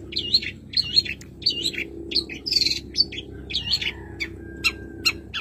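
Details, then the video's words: Madura long-tailed shrike kept as a songbird, taught from recordings of other birds, repeating a looping whistled phrase about every two-thirds of a second, later adding a thin steady whistle and short sharp ticks; low hum in the background. "Masteran Burung cendet Madura terbaru 2023 ...!!! full isian sekebon."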